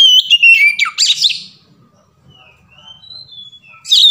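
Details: Oriental magpie-robin song in the 'ngeplong' variation style, played as a lure to get other birds singing: a burst of rich falling whistles and rougher notes, then a quiet stretch with faint soft whistles, then a strong whistle returning at the end.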